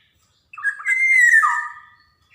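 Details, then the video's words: Black-naped oriole from Java, sung energetically as a lure recording for untrained birds: one long, rich, slightly rising whistle that slurs downward at the end. "SUARA PANCINGAN KEPODANG JAWA | kicauan kepoxang emas gacor"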